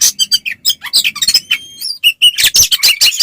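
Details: Caged oriental magpie-robin delivering a fighting song meant to stir rival males: quick high chirps and buzzy notes, a few thin drawn-out whistles near the middle, then a harsh, rapid burst of scratchy notes.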